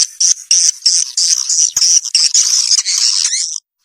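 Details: A lure track for drawing young swiftlets into a new building carries swiftlet calls: a near-continuous stream of shrill, rasping twitters, fast and crowded, ending in a brief silence.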